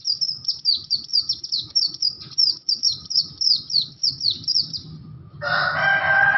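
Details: Bustomi or buxto Oriental white-eye, caged, producing an unusual sound: a steady chain of high, quick chirped notes for about five seconds, then a loud broad buzzing noise takes over.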